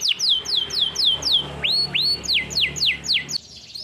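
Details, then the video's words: Canary singing live as song training: a run of quick downslurred whistled notes, about six each second, broken by two rising upswept notes, then more falling slurs before the song fades. "Canary live singing song training"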